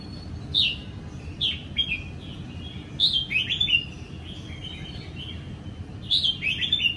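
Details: Young caged Sông Kon red-whiskered bulbul sings ché in the morning while sunbathing after its moult, Vietnam, April 2022. Loud warbled phrases come every second or two, dipping and rising, over a faint low hum.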